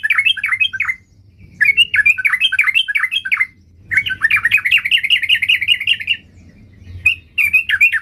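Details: Sooty-headed bulbul in full song, described as looking for a rival: energetic chattering phrases of quick wavering notes, delivered in bursts of one to two seconds separated by short silences, over a faint low hum.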